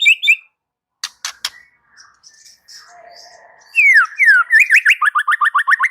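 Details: White-rumped shama opening with clicks and soft notes, then loud downward-sliding whistles leading into a fast run of about ten repeated, rising whistled notes.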